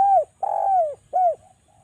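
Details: Spotted dove, Java, lure call meant to set doves calling: the end of one falling coo, then a long sustained coo dropping at its close, and a short arched coo with a soft trailing note.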